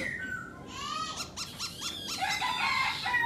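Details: A singing, dancing black laughingthrush gives soft whistles, then a fast series of short chirping notes rising into brighter whistled phrases.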